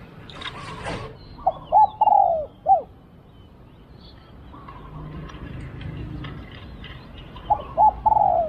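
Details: Spotted dove in decoy luring, cooing a two-part phrase of short hooked notes and a drawn-out falling coo, repeated after a long pause. Loud knocking clatter opens the recording, with faint chirps in the background.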